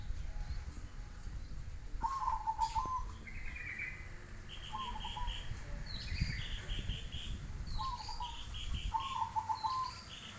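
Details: Zebra dove song: soft rolling trilled coos in short bursts, repeated several times, with higher chirping from other birds and a steady low rumble of background noise.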